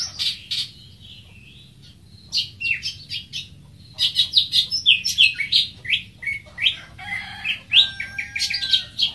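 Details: Varied, rapid song of a greater green leafbird: quick chattering runs of high chips and slurred whistles. A short quiet gap comes early, then a long, busy stretch of mixed notes.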